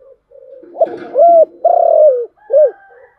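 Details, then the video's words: Cooing spotted dove in the 'giọng thổ chiêu gù' style: a murmuring low start, then a rising coo, a long level note sliding down at the end, and a brief arched closing note. "cu gáy/ cu gáy giọng thổ chiêu gù"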